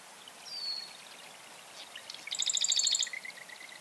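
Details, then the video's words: Marsh wren song: a thin high whistled note, then a dense rattling trill of rapid sharp notes, ending in a few buzzy trailing notes, in a quiet setting. "Marsh Wren - Song & Call"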